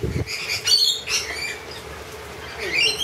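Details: Wild lorikeets offered honey give a quick run of loud, harsh squawks, then a rising shrill screech near the end.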